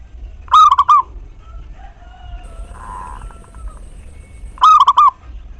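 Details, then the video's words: Local zebra dove singing as a lure to stir other perkutut to coo: two rapid bubbly phrases of four rolling notes about four seconds apart, with faint softer bird notes and a brief buzz between them. "Perkutut Lokal GACOR Pancingan Tercepat Buat Nyaut Bunyi"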